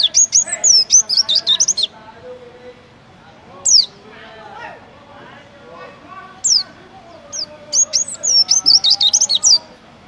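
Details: Oriental white-eye, a competition songbird, gives short bursts of rapid high slurred whistles at start and end with scattered single chirps between, over steady background chatter of voices.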